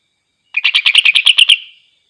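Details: Greater green leafbird singing so as to rile up other leafbirds: a clean, loud string of about ten quick staccato chirps delivered evenly in roughly one second, trailing off into a soft whistle.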